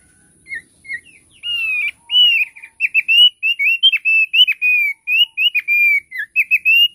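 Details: Thick-billed heleia singing a lively, continuous series of clear whistled notes, some flat, some rising or falling, delivered in rapid irregular bursts for several seconds in an otherwise quiet setting.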